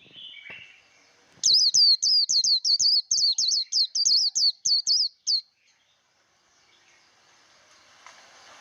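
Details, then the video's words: Japanese white-eye giving the 'líu đấu' contest song for voice training: a rapid string of roughly fourteen high, twisting whistled notes lasting four seconds, framed by soft rustling and faint background noise. "Vành khuyên líu đấu. kích lửa vành khuyên líu đấu"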